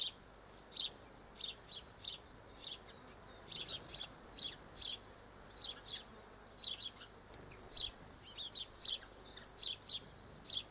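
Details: Double-barred finches recorded on 1 December 2013: short, high, nasal chirps in a steady series, often in quick pairs or triplets, roughly two to four per second, with a faint hiss in the background.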